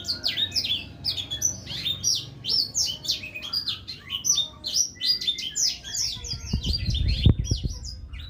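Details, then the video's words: A Black-throated Canary sings a clear, fast, continuous warble of high twittering notes and trills, with a few dull knocks near the end. "SUARA BURUNG BLACKTHROAT GACOR jernih"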